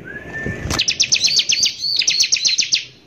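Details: Bar-winged prinia in harsh 'nembak kasar' lure song meant to agitate other prinias: a thin rising whistle, then a loud burst of rapid, sharp, high-pitched notes with a brief bouncy phrase in the middle.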